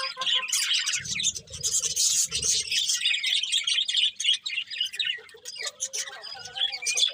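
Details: Birds chirping in the morning in a lively, uneven stream of high tweets and squeaks, with a brief muffled rumble early on.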